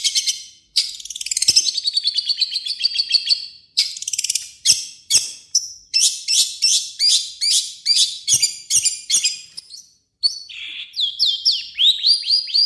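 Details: Long-tailed shrike, known locally as cendet, sings a harsh varied song used to lure other shrikes. Rapid high trills and rasping phrases are broken by short pauses, with chattering bursts and a few clear rising whistles.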